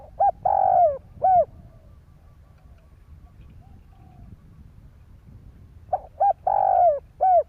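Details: Spotted dove cooing to stimulate other doves: two phrases about five seconds apart, each of short clipped notes leading into a drawn-out, falling mellow coo, with quiet low rumble between.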